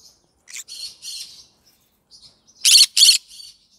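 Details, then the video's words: Yellow-sided green-cheeked conure: a few soft raspy chirps, a pause, then two loud, harsh, back-to-back squawks and a trailing quieter note. "Yellow Sided green conure singing sounds"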